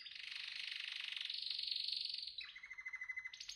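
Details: Canary song heard slightly distant: a long loud high rolling trill sustained for over two seconds, dropping to a slower pulsed chirping tour, ending on a sudden higher note; faint low background hum.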